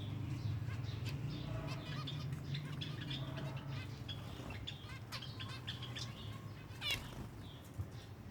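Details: Silver Java sparrows feeding as a group, giving scattered sharp chirps and short tweets, with one louder rasping call near the end, all above a constant low mechanical hum.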